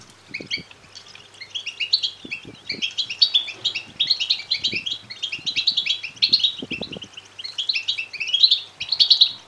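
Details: Continuous begging chatter from European goldfinch chicks, rapid high twitters and buzzy trills building in intensity over nearly ten seconds, with scattered low taps. Offered as a stimulus for males to sing and mate.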